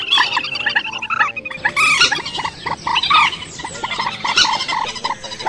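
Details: Migratory bird calls used as lures for night net trapping in March and August 2024: dense, harsh, overlapping notes repeated several times a second, with sharp higher chirps mixed through the sequence.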